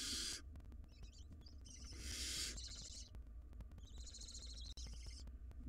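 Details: Harsh hisses and stuttering wheezy calls overlap as wild barn owl nestlings in a nest box engage in a tug-of-war over a very large rodent.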